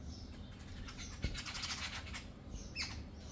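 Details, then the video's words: Jungle babblers in a group make rapid, rasping, squeaky chatter through the middle of the recording, with a sharp high note near the end and low background rumble. "Gang of Jungle babblers"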